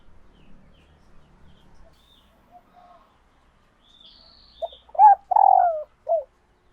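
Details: Laying female spotted dove calling to excite males into courtship calling: faint soft murmurs build into a loud phrase of short notes, a long falling coo and a final short coo, with a thin high whistle before.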